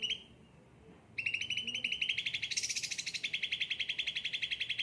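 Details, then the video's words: Cucak ranting, ocean green with a yellow head, kept and often pampered, singing lively: a short note and a pause, then a dense rapid trill that climbs slightly and grows brighter and stronger. "gacor cucak ranting"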